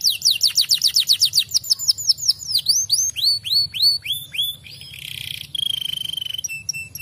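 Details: Fighter-type canary in full song: rapid rhythmic series of high descending sweeps, then looped whistled notes, a buzzy passage and a fast mechanical trill, over a low steady hum.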